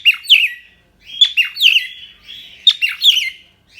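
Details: Indonesian pet cockatiel giving a lively warbled song of quick chirps and wavering whistled notes, with two or three phrases in a few seconds.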